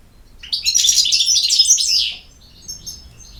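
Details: European goldfinch giving one dense phrase of rapid, bright twittering lasting about a second and a half, followed by a few soft, high chips.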